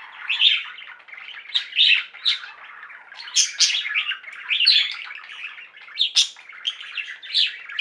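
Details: Flock of pet budgerigars chirping and singing, a rolling mix of buzzy chatter, squawky notes and clicks, rising into louder shrill peaks in the second half.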